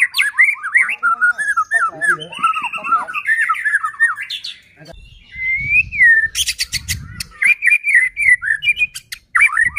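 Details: White-rumped shama song meant to provoke other shamas to sing: dense, varied whistles and chattering phrases, a pause with low background noise, then clicking notes and further loud rising whistles.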